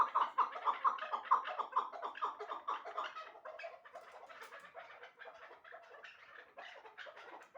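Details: Two chukar partridges, one a two-year-old caged bird and the other a one-year-old hybrid, giving rapid, repeated clucking chuck notes that run together in a steady rhythm, loud at first, then fading and softer.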